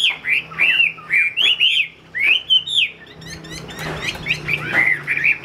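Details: Chinese hwamei, a bird kept and sold by a dealer, sings loud, rich whistled phrases with rising and falling slurred notes in quick bursts, a brief pause near two seconds, then denser chattering phrases.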